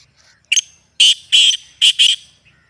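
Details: Black francolin, natural recording used to make captive birds active and calling: a loud harsh phrase of five buzzy notes, one short opening note followed by two close pairs, in a quiet background.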